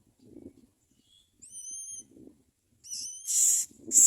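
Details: Common myna chicks at the nest calling to their mother: a few thin, steady whistled notes, then loud harsh hissing bursts. Faint low rustling sounds underneath.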